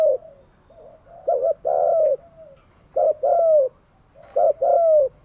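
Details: Spotted dove kept as a decoy for wild doves gives soft introductory notes, then three loud phrases. Each phrase is a short double note followed by a long coo that glides down.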